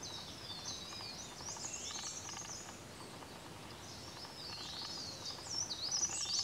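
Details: A male ultramarine flycatcher, seen close up at Sattal, Uttarakhand, India, in April 2019, gives thin, very high notes that swoop up and down in quick bursts, with soft ticking notes beneath and a steady hiss of background noise.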